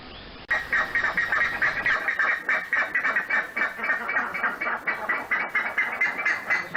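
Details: Buff-necked ibis from the Pantanal calling: loud, harsh, nasal honking notes repeated rapidly, about four per second, forming a continuous clamorous series after a brief quiet start.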